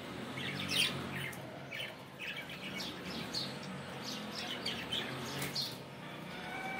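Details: Budgerigars heard on a morning, giving a stream of short, overlapping chirps and squeaky warbles, with a few louder sharp notes near the start and end over a steady low hum.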